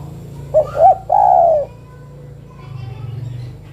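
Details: Calling female spotted dove summoning the male with a single phrase: two quick soft notes rising slightly, then a longer, smooth coo that drops in pitch. Constant low droning hum behind.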